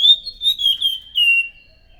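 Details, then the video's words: Loud thrush song used as a lure for other thrushes, a run of four or five clear, high whistled notes in quick succession, the last one drawn out and gently falling, with a quiet background. "PANCINGAN BUNYI BURUNG ANIS SANGAT EFEKTIF, SUARA ASLI ANIS MACAN GACOR TEMBAKAN SUARA NYARING!"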